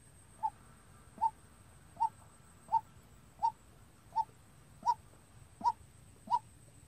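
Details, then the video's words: White-breasted waterhen kept as a trapping decoy and trained to call by itself: a steady series of nine clipped, mid-pitched notes spaced about 0.7 seconds apart, even and monotonous, with faint low hum behind. "Tập quốc mồi tự chơi-Tiếng quốc đi bẫy"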